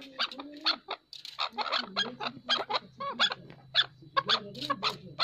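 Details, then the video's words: Chukar voice: quick bursts of harsh, chuckling notes mixed with rising squeaky syllables, repeated about twice a second over a low droning hum. "Chakor Partridge Voice | Chakor ki Awaz"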